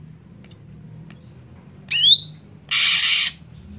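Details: Greater green leafbird kept for competition, prepared for sluggish contest days, gives two clear high whistled slurs, a rising twittered note, then one long harsh rasp.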